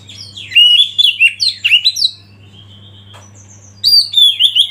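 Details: Oriental magpie-robin tutoring-track song over river-flow backdrop: rapid run of bright whistled swoops and chips, a long flat held whistle near the middle, then renewed varied phrases; faint low hum throughout.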